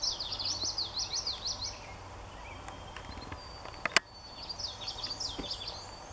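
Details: Common yellowthroat at Daly Point giving its song, a rapid run of repeated high, looping three-note phrases, heard twice with a pause between, against faint background hiss and a sharp knock near the middle.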